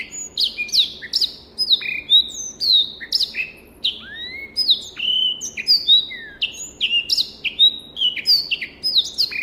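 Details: Tutor recording of a black-throated canary from a private collection: nearly ten seconds of unbroken lively warbling, with chirps, clear whistled slurs and the odd low rising note in a varied stream.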